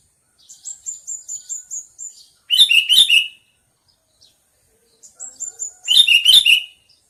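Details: Sooty-headed bulbul sounding two bubbly chirp bursts several seconds apart, each preceded by a steady series of six or seven high, thin, tinkling notes repeated about every quarter second.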